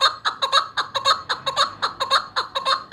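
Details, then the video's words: Chukar partridge, a hunting bird, giving a loud rhythmic chuck-chuck call, paired clucking notes repeated about four times a second, clear and close. "Shikari Chakor ki Awaz"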